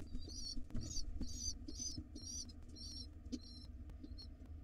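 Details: Hungry pigeon nestlings in the wild being fed by their father, calling in a rapid series of high, buzzy, wavering squeals roughly twice a second, fading toward the end, with faint knocks and a low hum.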